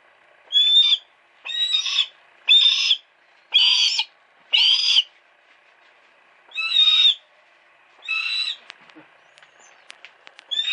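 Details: Series of seven harsh, high screeching cries from a captive female hawk at a home, spaced about a second apart with a short gap midway, then a few soft clicks. Recorded on a Sony Cyber-shot.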